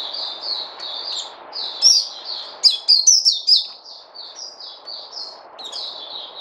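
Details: White-eye (puteh), 29 August 2020: a run of soft high twitters swells into a cluster of loud sharp downslurred chirps, then settles back into quieter rapid twittering over a low background hiss.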